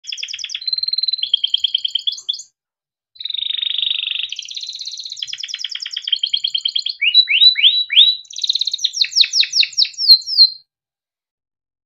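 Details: Timbrado canary singing a melodic song for training: bright buzzy trills and rolls alternate with sweeping downslurred notes, broken by two short pauses; no other sounds.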